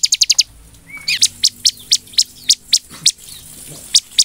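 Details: Bar-winged prinia song intended to provoke other birds into singing: a quick opening flurry of high notes, then single sharp notes repeated about every quarter second. A soft rising whistle is also heard.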